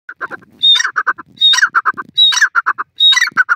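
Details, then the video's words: Francolin calling in a forest: loud, harsh phrases repeated about every 0.8 seconds, each opening with a thin high whistle followed by a rapid burst of grating, clipped notes. "partridge speech"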